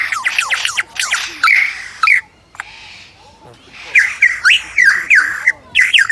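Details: At Adelaide zoo, a superb lyrebird mimics a camera with rapid rattling clicks and short upward-swept squawky notes, a pause with soft noise, then more clipped chirps and clicks.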